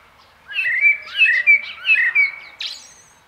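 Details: Common blackbird delivering a short fluted phrase: several mellow, slurred whistles around mid pitch, repeated in quick succession, ending with a higher squeaky twitter; quiet background.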